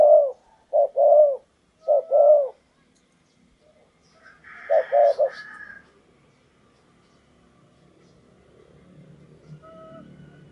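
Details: Decoy spotted dove luring a wild bird: three quick paired coos at the start, then another coo phrase amid higher chirps, fading into low background rumble.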